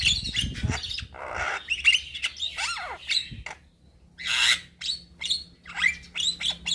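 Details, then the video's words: A young Javan myna in lively full song, said to provoke replies from other mynas: squawky, harsh bursts and sliding whistled notes come in clusters separated by brief gaps. "Kicauan Jalak Kebo Muda gacor Full Isian"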